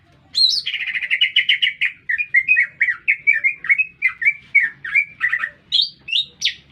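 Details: Lesser green leafbird singing energetically in the middle of a city: a rising whistled opening, then a long run of rapid, buzzy, warbled notes repeated about twice a second, ending in high sharp chirps.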